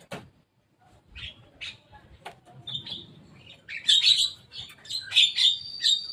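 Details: Javan myna visiting and playing on top of a cage: sparse harsh clicks and short buzzy notes at first, building into loud, rasping chattered bursts repeated in quick, uneven runs during the last two seconds.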